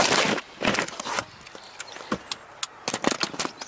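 Loud clicks, clatters and rustling bursts like handling or vehicle noise, with no animal calls.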